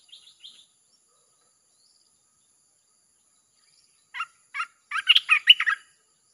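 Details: Red-whiskered bulbul song meant to draw in wild birds; after faint high chips at the start and a long quiet gap, a few spaced notes lead into a fast burst of bright warbling.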